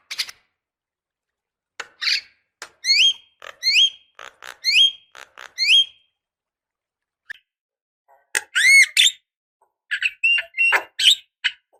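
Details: Javan myna female calling a male for decoy use: sparse clicks followed by a series of short rising whistled notes, a gap, then a loud burst of mixed whistles and sharp notes.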